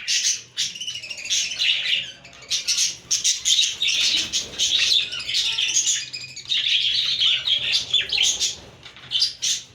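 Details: A busy flock of budgerigars in a pet store chatters and warbles continuously in an overlapping chorus of scratchy high chirps.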